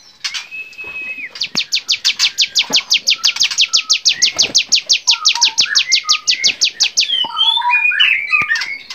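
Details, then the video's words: Bar-winged prinia song from a songbird training recording: a long, fast, even series of sharp high chips, about three per second, after an opening whistle, with other birds' short whistled phrases near the end. "masteran cigun gacor variasi"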